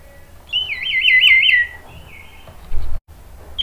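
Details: Orange-headed thrush, kept as a cage bird in Indonesia, song used as a lure to make other thrushes answer; a warbling, trilled phrase around the middle, then a short fainter whistle and a brief note at the end.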